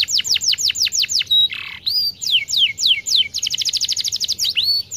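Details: Canary singing continuously to coax silent canaries: evenly spaced falling whistles, a brief harsh buzz, slurred sweeps, then a fast rattling trill and a final rising whistle.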